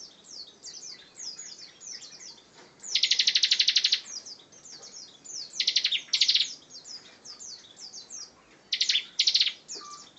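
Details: Bar-winged prinia singing in the 'gacor ngebren' style: high thin downslurred whistles interspersed with loud buzzy pulsed trills lasting about a second, repeated in bursts.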